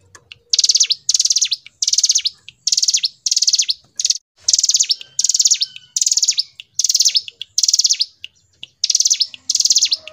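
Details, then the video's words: Long run of hill prinia song: high, dry, rapidly pulsed trills repeated almost every second, each ending in a short falling note, with faint tonal whistles beneath. "Masteran Ciblek Gunung | CIGUN | GACOR NGEBREN • SUARA BURUNG CIGUN"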